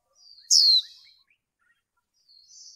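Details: Single loud, high, falling chirp of a female white-eye used in training to stimulate males, followed by faint thin twittering and a quiet soft trill near the end.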